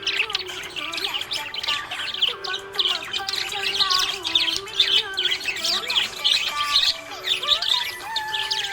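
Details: Budgerigar in a happy mood, chirping busily with rapid, overlapping high twitters and brief warbled notes, while a soft melodic line plays underneath.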